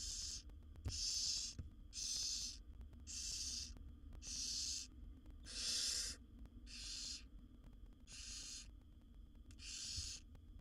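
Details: Begging from wild barn owl owlets, a brood of seven being fed by the mother in a nest box; nine short hissing screeches in quick regular succession, rough and airy, with faint clicks and low hum behind.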